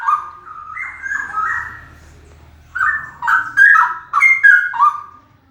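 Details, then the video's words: Loud male straw-headed bulbul pouring out liquid, warbling whistled notes in stepping phrases, a softer pause, then a second vigorous burst of rich, gurgling song. "Cicak rowo suara keras banget"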